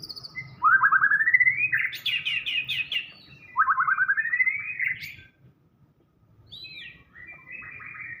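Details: Murai batu, the white-rumped shama, in full isian gacor song: two loud rising rattled trills that climb steadily, the first breaking into rapid high chattering, followed by softer curling whistles after a brief pause.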